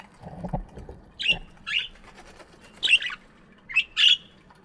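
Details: Budgies in an aviary on a morning: five harsh, squawky chirps at uneven intervals, a couple of them paired, over soft low rustling and hum.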